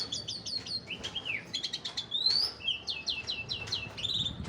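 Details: Young Javan pied starling in varied song: rapid high whistled notes in quick runs, a rising buzzy sweep, then repeated descending slurred whistles with a few sharp clicks between phrases.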